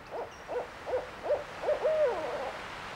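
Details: Barred owl (Strix varia) of a nesting pair in northern Alberta boreal forest, spring, gives a territorial and courtship call: five or six low, mellow hoots ending in a long drawn-out note trailing into ragged cackling.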